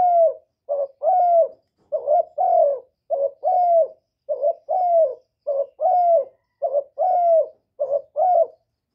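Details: Spotted dove calling to draw wild doves: continuous sequence of around eight paired coos, a clipped lead note and a longer arched coo, evenly spaced over nine seconds.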